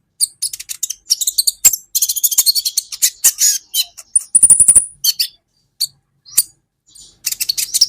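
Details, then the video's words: Olive-backed sunbird (kolibri ninja) song from an Indonesian masteran training recording for caged songbirds: rapid high chirps and short buzzy bursts in dense clusters, with one sustained thin high trill midway and brief pauses between phrases. "Masteran buat KOLIBRI Ninja Bahan Agar BUNYI"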